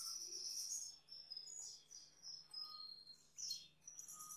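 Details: Male Gloster canary beside a female, singing high, thin whistled notes and short trills that rise and fall across the upper register, in bursts separated by brief pauses, with a faint steady low hum underneath.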